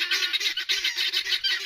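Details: Noisy helmeted guineafowl in the background at a cat sanctuary make a loud racket of harsh, grating calls repeated in quick bursts.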